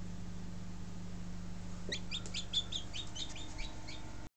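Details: Baby Buff Orpington chicks, hatched 2 March 2011, start a quick string of high, thin peeps partway through, over a steady low droning hum.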